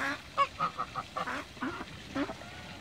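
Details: Toulouse geese, mature and young, swimming in a backyard, give a quick string of short, clipped nasal honks, about six in three seconds, with softer overlapping voices.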